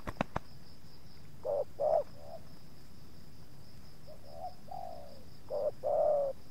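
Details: Spotted dove luring wild doves in a yard where two wild birds approach and the second resists a little. Quieter short-long coo pairs with softer muffled notes between, and a few sharp clicks at the start.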